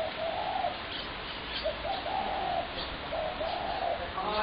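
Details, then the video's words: Spotted dove recorded on 21 January 2017, giving low, hoarse cooing phrases, four purring coo bursts spaced about a second apart over a busy, hissy background with faint chirps from other birds. "Spotted dove horrendous racket"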